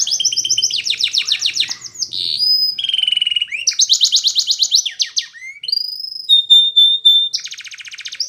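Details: Belgian canary singing for training young canaries: alternating pulsed trills and rattles at varied pitches, a steady pure whistled tone, and a closing fast buzzy trill, continuous and loud.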